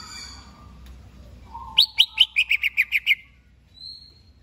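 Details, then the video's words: A greater green leafbird prepared for a contest gives a brief whistle, then a lively volley of about nine bright, clipped notes sliding downward, followed by a thin high whistled tone. "Cucak HIJAU siap diajak LOMBA"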